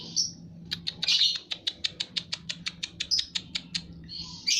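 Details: White-rumped shama in breeding condition singing: a rapid series of sharp, evenly spaced high notes, about five per second, framed by brief whistled phrases at the start and end.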